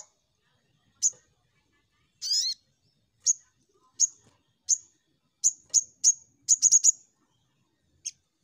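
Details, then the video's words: Crimson sunbird used as a lure to prompt other birds to sing: sharp, very high ticking notes spaced about a second apart, becoming quicker near the end. One buzzy, arched note is mixed in and the background is quiet. "Pancingan Sogon Bahan Cepat Nembak"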